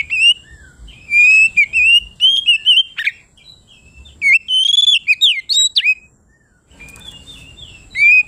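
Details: Oriental magpie-robin (kacer) singing loudly and nonstop, a song meant to call and provoke rival birds: bright whistled phrases, rising and falling slurs and quick twitters in bursts, a pause near seven seconds, then whistling resumes.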